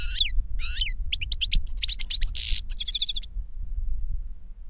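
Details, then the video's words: Goldfinch song, older bird teaching a younger bird: two rasping trills, then a quick chain of high tinkling notes, whistles and a buzzy burst, ending about three seconds in, over low background rumble. "Older GOLDFINCH SINGING to Teach Younger Goldfinch"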